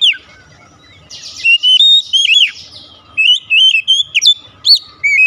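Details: Kept Oriental magpie-robin lure song meant to prompt another household bird into vigorous singing: a buzzy raspy stretch followed by rapid whistled, slurred and warbling phrases, mostly high-pitched, with short gaps between bursts.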